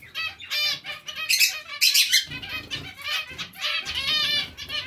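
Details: Colony of zebra finches sharing space with Bengalese finches, giving busy nasal trumpet-like calls in quick overlapping bursts, some sharp squeaky notes, and wingbeats between them.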